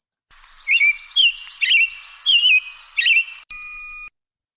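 American Robin song: several clear, warbled phrases about half a second apart, each a short rising-and-falling whistle, ending in a brief electronic tone.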